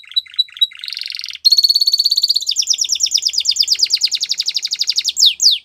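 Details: Belgian canary singing to train young canaries: a few chirps, a buzzy burst, then a sustained rapid trill breaking into a long stream of fast descending notes and final sweeps.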